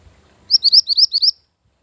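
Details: Master and lure song of a Mantenan gunung bird: seven quick, high, rising chirped notes evenly spaced in under a second, clean against a nearly silent background.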